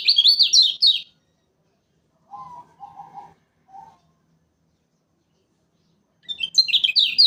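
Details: Lemon-bellied white-eye (kecial kuning) from Lombok, a lure recording for trapping: quick bursts of high, thin twittering chatter at the start and end, with a few lower whistled notes in the quiet middle stretch.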